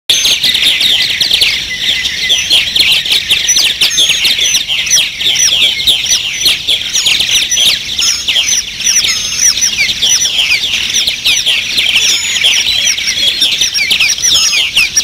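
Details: Purple martins along the Maurice River fill the air with a dense, continuous chatter of gurgling, chirping calls from many birds at once, with no pause.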